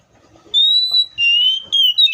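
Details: A long, pure, level whistle from a Seychelles magpie-robin, followed by slightly lower wavering whistled notes in quick succession.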